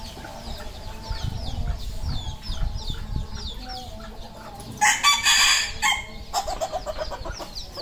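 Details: Red junglefowl on a farm in Cambodia: a loud, harsh, harmonic crowing burst near the middle, followed by a shorter second call, over steady high, falling peeps from many chicks and low farmyard rumble.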